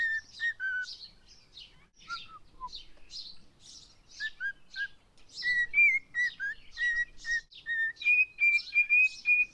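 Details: Cockatiel singing 'If You're Happy And You Know It': scratchy chirps open the clip, then falling whistles, then a steady string of clean whistled notes that climb toward the end.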